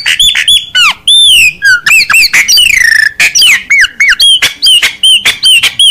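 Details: Chopi blackbird delivering its mateiro baiano style song: bright looping whistles, a long descending slur near the middle, and quick repeated sharp notes with little pause.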